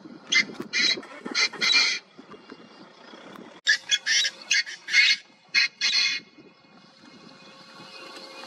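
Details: A male painted francolin in a grassy area at Bhigwan, Maharashtra, India, in August 2021 gives two loud phrases of harsh, grating, high notes, four or five rasping bursts each, separated by a pause, over a faint background hiss.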